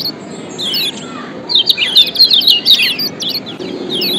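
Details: Lombok yellow white-eye (kecial kuning) song used to lure and train lazy birds: a few high chirps, a pause, then a dense burst of fast twittering, slurred whistles and sharp down-swept notes.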